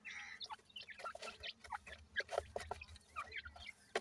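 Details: Young francolin chicks, locally called teetar, being fed; a busy run of short high chirps and peeps, some rising sharply, overlapping with soft clicks and rustling throughout.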